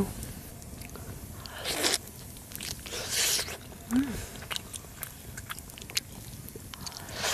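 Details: Crunching, biting and scraping while someone eats, with brief speech and no animal sounds.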